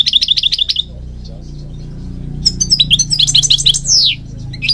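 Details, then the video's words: Goldfinch singing, from Morocco where it breeds even in public gardens: a rhythmic string of repeated bright chirps, a pause with low background hum, then a fast jumble of twitters and a long downward-sweeping whistle. "Singing Goldfinch King goldfinch singing"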